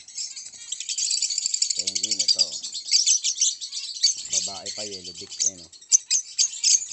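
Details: Many orange line o.b zebra finches keep up constant rapid, buzzy twittering and squeaky chirps, while a man's voice breaks in twice, briefly around the two-second mark and again near the middle.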